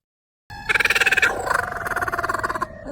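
A Laughing Kookaburra gives a harsh, rapid chuckling run of rolling notes, about two seconds long, that starts loud and rough then eases slightly.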